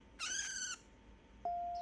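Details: Pet budgerigar in baby voice, seeking affection: one short, nasal, harmonic-rich chirp lasting about half a second, followed by quiet and then a steady pure electronic-sounding tone.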